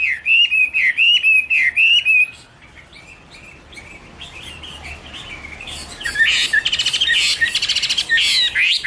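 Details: Chinese hwamei (Garrulax canorus), 2016: about two seconds of repeated looping whistled phrases, then a quiet gap, followed by loud harsh buzzy chattering mixed with whistles.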